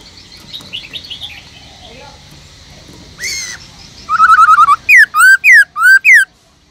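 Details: Black-throated laughingthrush kept in a cage, singing its forest-style voice to urge other laughingthrushes to sing: soft chirps, one swelling note, a rapid trill, then four ringing up-slurred whistles.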